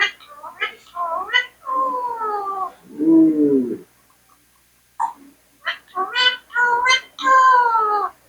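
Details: Indian parrot mimicking speech: a dense run of nasal, reedy syllables, some gliding downward, one lower hoarse note, a brief silence, then another burst of strained, harmonic word-like sounds.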